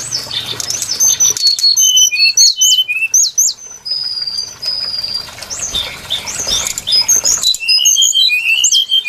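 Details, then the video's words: Lure song of the brown-chested jungle flycatcher for bird trapping: sharp, high whistles and upslurred notes in uneven runs, a long steady whistle near the middle, then a dense burst of varied phrases toward the end. "Suara pikat burung sikatan SRDC Sikatan rimba dada coklat"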